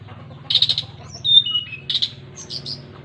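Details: Long-tailed shrike gives two rasping chatter bursts linked by clear, level then falling whistled notes, followed by softer squeaky notes, against a low droning hum.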